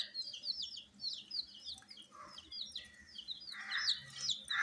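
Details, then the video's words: Colour chicks of domestic chickens, kept in warmth indoors, peep in thin downward-slurred notes over a steady background hum, with a few fuller lower bursts toward the end. "Witty MURGI Baby "Chicks Chirping" Sound"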